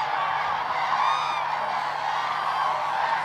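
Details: Massed common cranes dancing at Hornborgasjön lake in Västergötland, Sweden, April 2009. Countless trumpeting calls blend into one unbroken clamour, with a few clearer rising notes standing out briefly near the middle.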